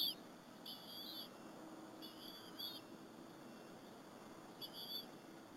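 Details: At the Berry College nest, bald eagle eaglets share an afternoon squirrel meal with their mother in April 2015. Three brief, faint, high squealing whistles are separated by long quiet stretches.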